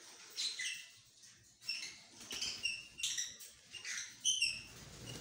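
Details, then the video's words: Green opaline lovebirds, kept as pets, giving short high chirps and squeaky notes in bursts about every second, with quieter twittering between. "Green opline lovebirds"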